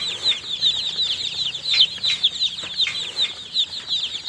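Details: Busy chatter of newly hatched chicks: sharp, high peeps repeated quickly and unevenly by many birds at once.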